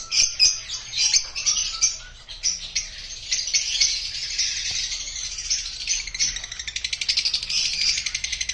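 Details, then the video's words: Several Rosy-faced lovebirds (opaline rosecoli) chirping in a constant shrill, high chatter of overlapping chirps and squeaky notes, all calling at once with no pauses. "Rosecoli opline love birds chirping"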